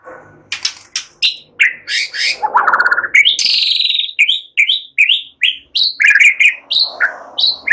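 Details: White-rumped shama song made to train other songbirds, in a relaxed style that mixes in mimicked phrases: varied loud notes, sharp down-slurred whistles repeated in quick succession, and a brief buzzy rattle.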